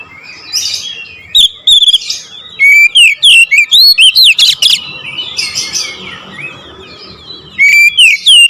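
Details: An oriental magpie-robin sings nembak ngerool, starting with soft scratchy notes, then a loud rapid series of clear slurred whistles over about two seconds, ending with a few more ringing phrases.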